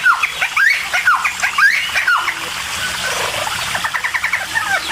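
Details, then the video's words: Cucak timor in energetic full song, used to provoke other birds into singing: bursts of quick slurred whistles and falling notes, then rapid chattering phrases, with some background noise. "CUCAK TIMOR GACOR EMOSI....‼️100% BIKIN BURUNG LAIN LANGSUNG NYAUT"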